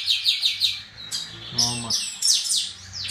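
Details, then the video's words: Chestnut-capped blackbirds disputing in song, rapid repeated descending whistled notes overlapping from more than one bird, with a brief low voice-like sound in the middle. "Disputa canto entre Garibaldis"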